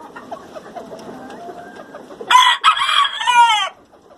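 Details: Morning crow from an ornamental rooster (breeds shown include Onagadori, Brahma, Poland, Kapas and Batik). Quiet murmuring clucks come first, then a bright, strident multi-part crow of just over a second that ends abruptly.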